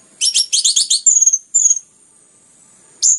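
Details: Orange-headed thrush delivering dense song intended to stimulate other birds. A fast trill of doubled high notes runs into thin descending whistles, then silence and one final high whistled note.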